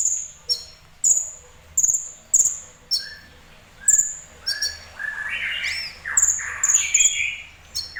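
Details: Kolibri ninja sunbird delivering repeated piercing high chirps about every half second, mixed with lower, rougher chattering and twittering notes toward the middle of the passage.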